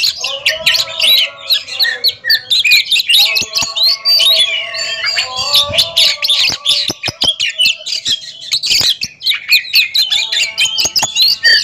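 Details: Two caged Oriental magpie-robins in a song duel at a competition: dense, fast, varied whistled and buzzy phrases with sharp clicks, over steady low humming tones in the background.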